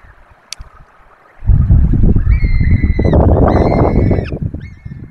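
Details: At a Barycz Valley nest in Poland, peregrine falcons feeding four chicks on webcam: after a quiet start, loud low rumbling sets in, with two long, level wailing calls and a short final one.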